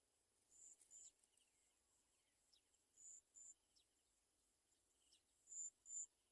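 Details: Olive-backed sunbird mother with small baby birds that fell and cannot eat; very high, thin, even-pitched notes in close pairs, the pairs repeating every two to three seconds, with fainter scattered chirps between.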